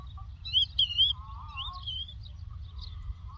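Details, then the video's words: Lark song from the Doukkala countryside: bright whistled slurs and short twisting phrases, some lower warbles in between, against a constant low background hum. "The Lark Tweets صوت الطبيعة: تغريد القبرة"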